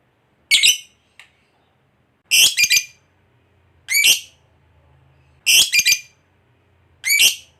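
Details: Lovebird of the fighter type, played as bait so other lovebirds trill; a series of sharp, scratchy squawks, some single and some in quick triplets, spaced about one and a half seconds apart in a quiet room.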